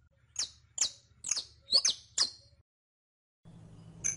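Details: Saffron finch (canario criollo) in captivity, recorded for teaching a caged bird to sing: five quick downward-sweeping high chirps roughly every half second, then a gap of silence and a low hum returning with one more chirp.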